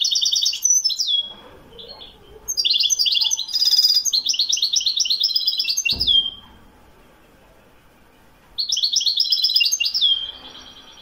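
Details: Widani European goldfinch from Morocco singing: rapid bright twittering phrases of buzzy trills and chirps, each ending in a drawn-out falling whistle, in three bursts separated by short pauses, with one sharp click midway.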